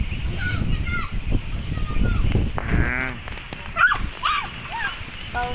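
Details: A very large flock of ducks in Victoria, Laguna calls in short, nasal, overlapping quacks and squawks over a steady low rumble of background noise.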